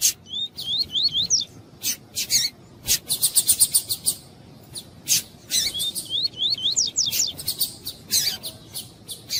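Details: Female yellow-bellied seedeater (coleiro tui-tui) calling to excite a singing male before song tournaments: bursts of high buzzy trills alternate with little rising whistled slurs repeated three or four times, then sharp chip notes.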